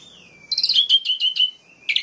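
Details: Orange-headed thrush song to provoke other males: a long gliding whistle leading into rapid warbled notes with a harsh buzzy overlay, ending with a brief loud burst.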